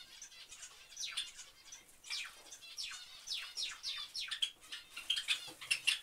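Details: A Java sparrow family chatters together in a quick, overlapping stream of sharp, high downslurred chips, with a few clear metallic ting notes near the end.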